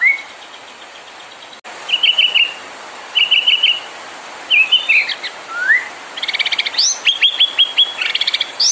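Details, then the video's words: White-rumped shama song used to provoke other birds into singing: a rising whistle, clipped triple-note bursts at intervals, varied warbles, then a fast chattering trill of high notes. "PANCINGAN MURAI BIKIN CEPAT EMOSI | SHAMA BIRD"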